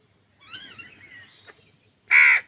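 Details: Crows contesting food: a faint drawn-out nasal call, then one loud, abrupt harsh caw.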